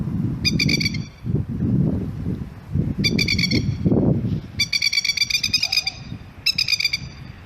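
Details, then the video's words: A Masked Lapwing (Masked Plover, Vanellus miles) with its family, alarm-calling to protect a chick, gives harsh, rapid rattling bursts of loud strident notes, four bouts in seven seconds, over steady low wind rumble. "Masked Lawping or Plover Bird Call"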